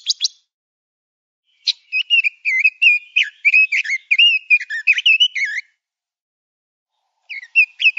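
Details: Male Pekin robin, a master recording for training songbirds: two short whistled bursts, then a long run of quick, varied warbled notes twisting up and down, then a pause before another warbled phrase begins.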